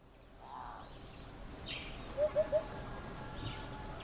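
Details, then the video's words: African hoopoe singing from powerlines in front of a house in the morning, mainly in 3-note phrases: three soft, low hooting notes in quick even succession mid-clip, over faint background hiss and brief distant higher bird chirps. "African Hoopoe calling"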